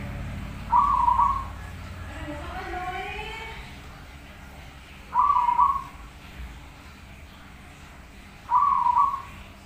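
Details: Zebra dove in energetic master song for training; short low bubbling coos repeated roughly every four seconds, three in all, with a faint rising whistle and low rumbling background noise between.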